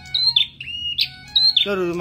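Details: Red-headed prinia kept in care for three months, singing actively: clear high whistled notes alternating with lower flat whistled tones, followed at the end by a burst of human speech.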